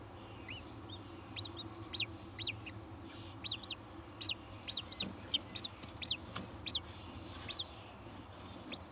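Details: Kestrels at the nest while the third egg hatches and the male comes in to see the new young; short thin upward-then-downward calls repeat at irregular intervals, about fifteen over nine seconds, over a steady low hum.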